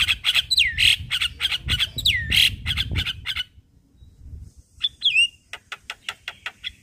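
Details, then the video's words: Caged Javan myna song used as a daily morning lure for training: harsh rasping chatter with swooping whistled notes, a short pause, a bent squeaky whistle, then rapid sharp clicks. "Kasi pancingan Suara Jalak Kebo Tiap Pagi"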